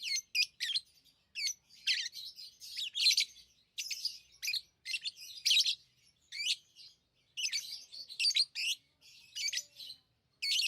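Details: Chattering pet lovebirds produce a steady run of shrill, scratchy chirps and squeaks in quick clusters, with short gaps throughout and no other clear sounds.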